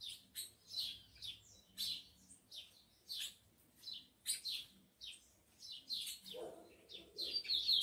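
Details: Tico-tico (rufous-collared sparrow) in captivity, an excited male with fiery females: a steady run of sharp, high, downward-slurred chip notes, roughly two per second, with a brief lower rustle near the end.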